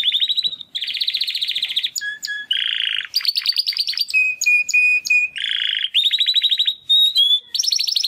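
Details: Captive young male Timbrado canary hatched in 2020, early song attempts after first molt: alternating rolled buzzy trills at different pitches, clear flat whistles, and short sharp notes strung together without pause.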